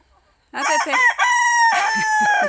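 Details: Black rooster with electric-blue reflections crowing enthusiastically in a garden on 1 September, one of three roosters kept: a loud harmonic crow opening with choppy syllables, then a long sustained note and a broken, falling finish.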